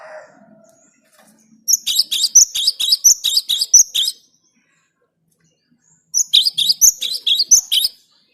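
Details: Cinereous tit song intended for bird luring: two strings of quick, sharp, high-pitched repeated notes, each lasting about two seconds, separated by silence.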